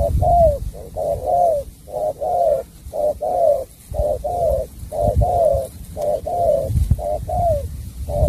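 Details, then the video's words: Spotted dove singing in the bau bach de song style: low hooting coos, each a short note followed by a longer falling one, repeated steadily about once a second over faint low background rumble. "Tuyệt phẩm sắm bầu bạch đề"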